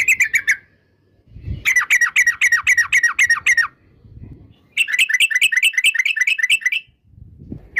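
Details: Yellow-vented Bulbul, described as a lively female used as a lure to trigger singing in other bulbuls, in a fast rolling 'ropel' style: bursts of rapid, clipped, chattering notes repeated about four per second, separated by short pauses with low thumps.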